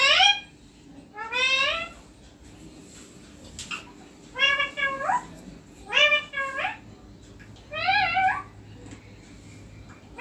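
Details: Green ringneck parrot perched on a neem tree, giving five loud, harmonic, wavering squawks spaced about every one and a half seconds, with quiet gaps between them.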